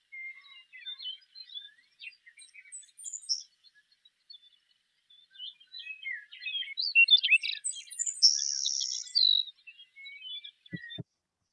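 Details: Savannah Sparrow in Montana, abundant in lush grass habitats, sings short thin introductory chips followed by two drawn-out, insect-like, grasshopper-like buzzes; two soft low thumps come at the end.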